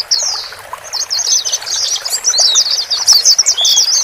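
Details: White-eye male and female voices used to help a new bird, bought from a communal cage, adapt to its own cage; a thin high note, a brief pause, then rapid squeaky twittering.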